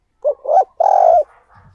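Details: Decoy spotted dove cooing to attract wild doves: two short low coo notes, then a longer drawn-out coo that swells and falls away, followed by a soft trailing murmur.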